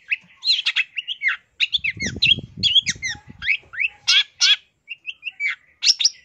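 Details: Long-tailed shrike song in masteran style with rich isian: chattering, jumbled notes, squeaky trills and sharp upslurs, mostly high and nearly continuous. A soft low rumble sits underneath in the middle section.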